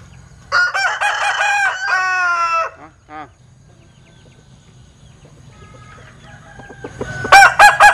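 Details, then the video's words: Linh Kê rooster with an odd crow: a long, rasping, stuttered phrase broken into pulsing segments, then a short note, silence, and the start of another choppy crow. "Tiếng Gáy Độc Lạ. Gà Linh Kê/ Strange Crow Sound"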